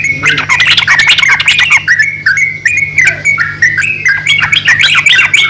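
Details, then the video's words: Male and female yellow-vented bulbuls in back-and-forth calling: harsh busy squawky chatter first, then cleaner stepped whistled notes, with a low hum behind. "BURUNG TRUCUKAN JANTAN DAN BETINA SALING BERSAUTAN"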